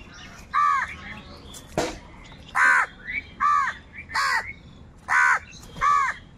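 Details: Crows cawing while wild birds fight them for food: a series of about eight harsh, hoarse caws, each short and evenly spaced, with one sharp click in between.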